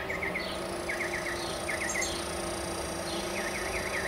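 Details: Northern mockingbird twittering atop a mesquite in central Arizona, repeated groups of three to four quick downslurred whistles with pauses between, over a steady insect drone and low rumble.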